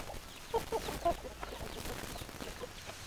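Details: ['Chickens giving a few soft, short clucks close together near the start, against a constant noisy background.']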